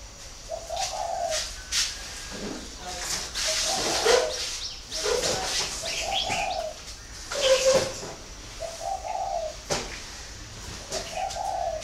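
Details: Spotted dove at a breeding farm in Ba Vì, northern Vietnam, delivering a long run of deep, rounded coos, one phrase every two seconds or so, with clattering knocks and scattered bird chirps.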